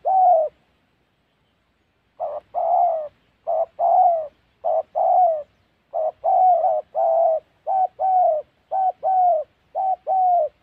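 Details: Spotted dove from the forests of Gia Lai, Central Highlands, Vietnam, recorded in a trapping context; one coo, a two-second gap, then a rapid string of short-long mellow coo pairs.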